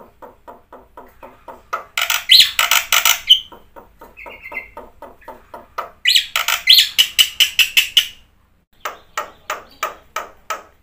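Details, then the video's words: Black-winged myna singing full song with fill-ins, for coaxing silent birds to respond: long runs of rapid dry rattling notes, two loud screechy bursts, and a brief buzzy whistle in between. "suara jalak putih gacor full isian"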